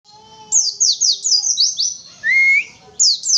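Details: Oriental white-eye (pleci) in lively song: a rapid series of very high, thin, downslurred whistles, a lower rising whistle in the middle, then more high descending notes, with faint steady lower tones early on.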